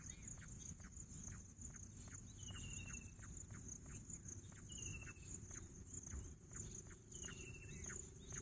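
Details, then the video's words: Bush quail (Pahadi Bater) calling with three high, falling whistled notes at roughly two-to-three-second gaps. A steady cricket trill, a low hum and rhythmic soft ticks run underneath. "Bush Quail sound Pahadi Bater"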